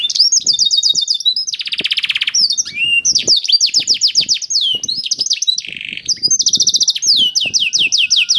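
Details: Domestic canary song played to lure other canaries into singing: loud, high, fast trills of rapidly repeated notes, buzzy rolls and sweeping whistles running without pause, with faint low ticking in the background.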